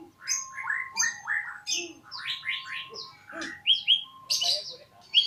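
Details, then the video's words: Magpie-robin in very melodious song: a rapid varied stream of clear whistles, slurred rising and falling notes and sharp chirps, over a steady faint background tone. "Kicauan murai merdu sekali"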